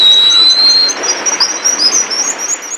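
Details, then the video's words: Black guillemot gives a thin, very high whistle, then a run of quick, wavering, sibilant twitters that rise and fall. "Black Guillemot Bird Call"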